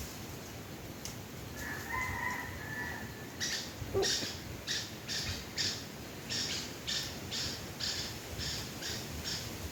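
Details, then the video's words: Wild red junglefowl lured using a domestic chicken as decoy; a single hoarse, harmonic crow lasting over a second rises then holds, followed by a run of short rhythmic clicking or tapping noises. "ຕໍ່ໄກ່ປ່າໝານໄກ່ບ້ານ( ต่อไก่ป่าหมานไก่บ้าน)"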